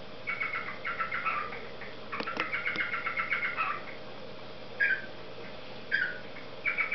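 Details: Cockatiel parrot song: two runs of quick stuttering whistled notes followed by three separate rising chirps, with a low hum in the background.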